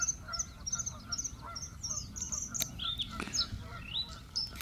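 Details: Bluethroat song from the Biesbosch in the Netherlands, a quick run of high, thin, varied twittering notes and short slurred phrases, with a steady lower honking note from other birds and a low rumble underneath.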